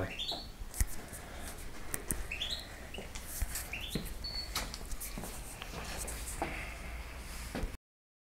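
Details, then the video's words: Campero-style song of a European goldfinch: quiet, rising whistled notes in short phrases spaced a second or so apart, over a constant low background hiss and hum. "El Jilguero"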